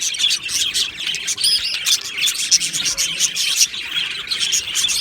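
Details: Colony of Australian budgies in an aviary, 22 June 2025, chirping and singing in a lively dense chorus, with loud squeaky whistles breaking through the continuous warbling.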